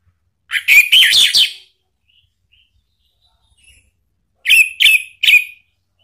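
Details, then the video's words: Orange-headed thrush lure song in the ngeplong style, used to make a kept bird answer: a burst of loud, rapid whistled and chattering notes, a near-silent pause, then three short sharp whistles. "jangan heran kalau ANIS MERAH mu seketika NYAUT ¦ PANCINGAN NGEPLONG"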